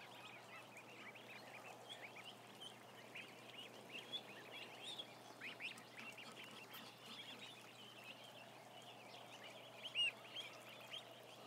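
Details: About 1,000 ducklings seen on a live camera, a softer, busy wash of high short peeps, with a louder rising note near ten seconds.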